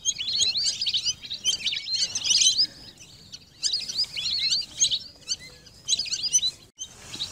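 Lesser whistling ducks give shrill, chattering whistles in three overlapping bursts, like a calling flock, with brief quiet gaps between.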